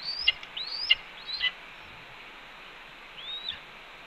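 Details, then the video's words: Red-tailed hawk at a nest on a Cornell camera, 28 April 2013, 10:53 AM, getting an earful from its mate as a branch is delivered: three high, rising-then-dropping chirps about half a second apart, a pause, then one fainter call. "Ez Delivers Branch and Gets Another Earful..About the Starlings?"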